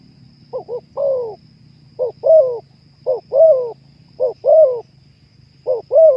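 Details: Spotted dove (terkukur) call series aimed at raising breeding urge in kept birds: two quick soft notes then a rich, rolling, falling coo, repeated about once a second, against a quiet low hum and thin high tone.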